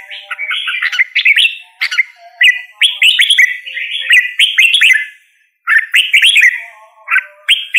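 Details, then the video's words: Singing red-whiskered bulbul giving lively chirpy whistled phrases in bursts, with slurred up-and-down notes, a brief pause near the middle, then more quick warbles. "Red whiskered Bulbul Singing Call Sound | Red whiskered Bulbul Bird Singing"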